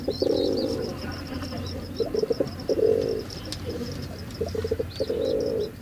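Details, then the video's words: A male pigeon coos in low, throaty rolls, with bursts of short pulsed notes between three longer coos; faint high chirps of small birds behind. "Pigeon sound Effect || Male pigeon super Performance"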